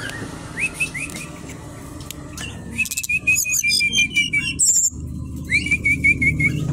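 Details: Brown-chested jungle flycatcher originating from Bali, caged at a kiosk, delivering rapid runs of repeated rising whistled notes between pauses, with sharp high chirps and buzzy trills from other birds nearby.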